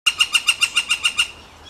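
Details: Northern flicker, one of a pair of woodpeckers: a quick run of nine sharp, squawky, harmonic notes at about seven per second, stopping abruptly after just over a second and leaving quiet.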